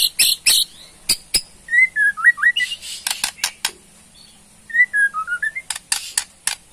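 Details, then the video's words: Bornean white-rumped shama, a kept songbird, giving its provoking song: sharp rattling bursts, then a wavering whistled phrase dipping and rising, more rattles, and a second similar whistled phrase. "KETREKAN MURAI BORNEO BONGKAR ISIAN // SEKALI PUTAR AUTO RESPON"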